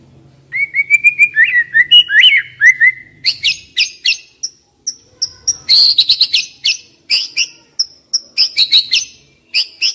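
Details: White-rumped shama decoy bird opens with even whistled notes, then switches to a long series of sharp, high, ringing chips and short phrases repeated at a fast, steady pace. A faint low hum lies underneath.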